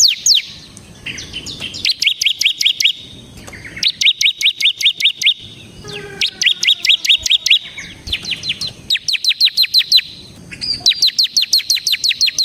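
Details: Ciblek semi bar-winged prinia in gacor ngebren song for luring birds: repeated phrases of rapid, high, clipped chirps lasting about a second each, spaced by brief silences.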